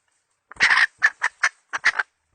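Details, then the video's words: Decoy hen chicken calling to attract birds, 2020 season: a long grating squawk followed by five shorter, evenly spaced nasal clucks, loud and clear against a silent background. "Tiếng gà mồi mái mới nhất mùa 2020..suab poj qaib seev"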